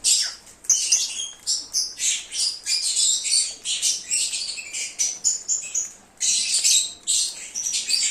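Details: Lovebirds chirping and twittering, offered as a lure to call an escaped bird back; dense overlapping high shrill chirps in rapid bursts, several birds calling continuously.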